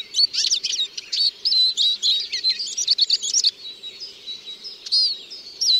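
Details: Eurasian siskin twittering song of quick high chirps and twisting slurred notes, easing into spaced, drawn-out wheezy whistles toward the end.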